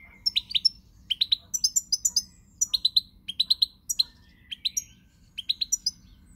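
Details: European goldfinch song recorded on 20 March 2020: quick bright twittering bursts of two to four high notes, some with sharp upward flicks, repeated about every half second over a faint low hum.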